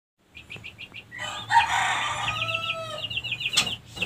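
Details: Female white-rumped shama lure song used to bring other females into breeding condition and crouch ready to mate; quick series of clear high whistled notes, then a harsh noisy burst under sustained whistles and fast chattering trills.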